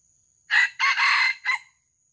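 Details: A junglefowl crows while being lured for live capture. The crow is three-part and raspy: a short first burst, a sustained harsh middle section, and an abrupt short ending. A thin constant high hum sounds behind it.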